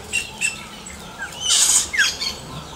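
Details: Yellow-rumped cacique singing in nature: short chirps, then a loud rushing hiss-like burst followed by a clear downslurred whistle and softer trailing notes.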